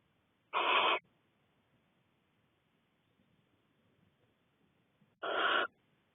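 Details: Barn owlets, six of them, huddled in a Cornish nest box with the mother out for a wing stretch; two rasping hissed screeches nearly five seconds apart over faint background rustle.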